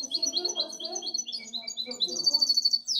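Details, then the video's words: Goldfinch hybrid, caged, singing a fast twittering song of high, rapid repeated notes, ending in a sharp downward sweep; low murmuring sounds run beneath throughout. "Mi mixto de jilguero"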